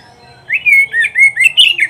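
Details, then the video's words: Kacer or oriental magpie-robin song, a master recording for training pet birds: one long whistled note followed by a rapid chain of short, bright, rising and falling whistles, ending on a higher flourish. "SUARA KICAUAN BURUNG KACER TERBAIK"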